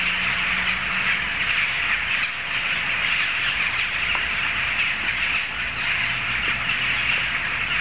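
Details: Big gathering of jackdaws calling all at once, an even blanket of rough squawks and chak notes, with brief low tonal hums and faint ticks in the background.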